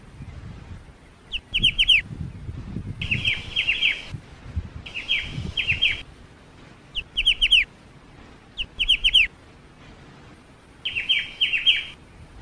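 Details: Training song of a black-winged starling: about seven quick phrases of clear, falling whistled notes over twelve seconds, each phrase three to five notes long, with gaps of one to two seconds and a low background rumble.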